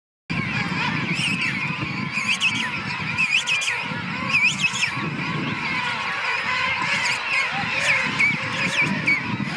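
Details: King penguin colony at Salisbury Plain, South Georgia, on 10 November 2015: many overlapping trumpeting, wavering calls rise and fall continuously over a steady low rumble of crowd noise and wind.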